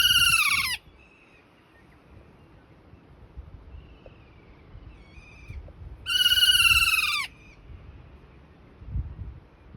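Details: Kea, New Zealand's mountain parrot: two loud, harsh, descending screeching calls, one at the start and another about six seconds later, with a few faint whistled notes and quiet background rumble between them.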